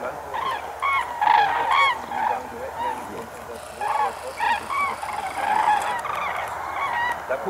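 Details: A flock of common cranes near Diepholz, Germany, on 4 November 2015 gives loud, rolling trumpeting calls, many birds overlapping in an irregular chorus, about two calls a second.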